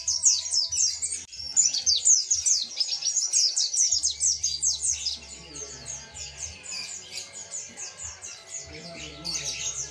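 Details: Mountain white-eye delivering persistent ngalas song with tembakan volleys, used for teaching other birds: loud rapid high twittering for four seconds, then softer scattered chirps before a final strong burst, over a low hum.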